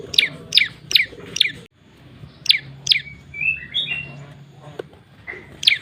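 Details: Lure call of a prinia: a few quick, high, descending chirps, a gap with soft whistled and warbled notes, then single chirps again, over low mechanical hum.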